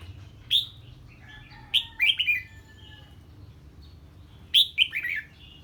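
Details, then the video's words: Red-whiskered bulbul singing on hearing a strange bird, a single clear note followed by two phrases of three or four tumbling whistled notes, with faint low hum. "Chào Mào Hót Ché Khi Nghe Tiếng Chim Lạ"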